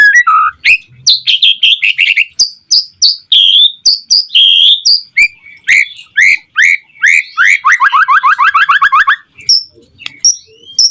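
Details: Energetic white-rumped shama song, meant to draw other shamas into singing: short sharp whistled notes in quick series, then a fast descending run of chipping notes before the song breaks off.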